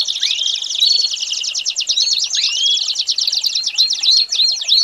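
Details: American Singer canary singing a tutor song for young birds: dense high trills mixed with rising whistled slides and short clear whistles that recur near the end.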